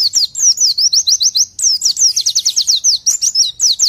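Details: Oriental white-eye song meant for tutoring white-eyes: a loud, continuous stream of rapid, very high whistled notes, mostly falling slurs repeated several times a second, with almost no pauses.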